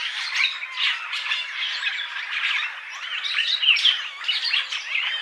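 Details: Purple starling, a resident breeder of tropical Africa's open woodland and cultivation, giving a continuous jumble of harsh squawks, chattering notes and squeaky whistles, dense and unbroken throughout.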